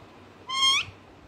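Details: A single short parrot squawk, pet bird, a bright harmonic note lasting under half a second that bends upward at its end, in a quiet room.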